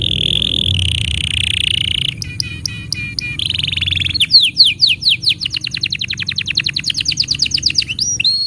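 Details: Canary song used as tutor song for young canaries and for canaries that have stopped singing: sustained trilled rolls near the top of the range, clipped repeated notes, then fast descending sweeping notes repeated many times per second, with faint low hum beneath.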